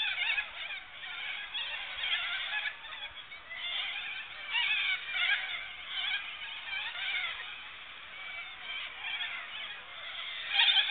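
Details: A flock of cockatoos at a campsite keeps up a dense, harsh screeching chorus, with overlapping raspy squawks rising and falling throughout.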